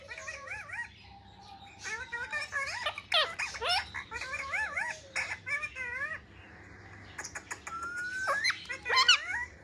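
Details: Pet parrot kept indoors, playing with a mobile phone and vocalizing: wavering, warbling whistled phrases repeated in short runs, mixed with squeaky chatter and clicks, then a long rising whistle near the end.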